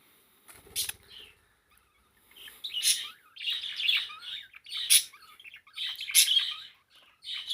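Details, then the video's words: Singing pet parakeet: scattered twitters at first, then steady warbling chatter punctuated by loud rasping bursts roughly every one to one and a half seconds. "#parakeet #songbird Blue singing away :)"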